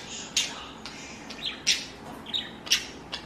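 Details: A pet blue budgerigar gives short, scratchy, high chirps and squawks, about one every half second in an uneven, chattering rhythm, with faint warbling between them.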